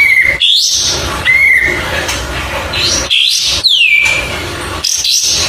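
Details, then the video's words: Oriental white-eye song for training songbirds: clear flat whistles alternating with high warbled twitters and a loud descending whistled sweep near four seconds, phrases separated by brief pauses. "MASTERAN Suara Burung Kapas Tembak, langsung nyaut"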